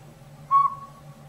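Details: Single whistled toot, steady in pitch and fading out, from a robin-sized Northern Pygmy-Owl living in an old sapsucker nest in a rotted tree in backyard woods; a low hum underlies it.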